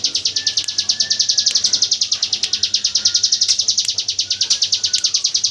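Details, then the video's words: Hill prinia in its 'AK47 gunfire' song, used as tutor audio for white-rumped shamas: a steady, fast series of high, sharp notes, with faint thin whistles from other birds behind. "Suara burung ciblek gunung tembakan AK47"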